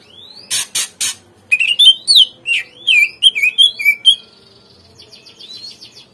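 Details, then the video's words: Greater green leafbird singing, played as a lure to get captive birds to respond: a rising whistle and two harsh bursts, then a quick, varied series of slurred, twisting notes, fading into faint high twittering. "PANCINGAN SUARA CUCAK IJO"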